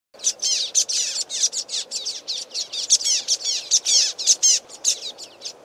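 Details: A flock of common waxbills calling loudly and excitedly from a reed bed along a stream: a dense, overlapping stream of very high, sharp, buzzy chirps, several per second, with hardly a pause.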